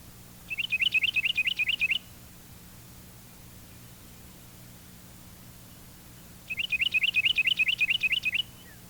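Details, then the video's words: Two-noted song of a Carolina wren, a non-warbler compared with the Kentucky warbler: two bursts of rapid paired whistles, about a dozen each lasting one and a half seconds, separated by four seconds of quiet with low hum. "Now for a close comparison, here's a non-warbler species, the Carolina wren, with his own two-noted song."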